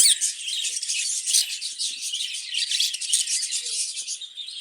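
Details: Budgerigars housed in a cage for breeding, a crowded chorus of quick, rasping twitters and shrill chirps running without pause.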